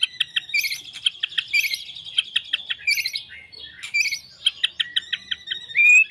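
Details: White-rumped shama billed as a champion fighter, delivering a dense run of short, sharp high chirps and clicks in rapid clusters, ending on a brief clear whistle; quiet background.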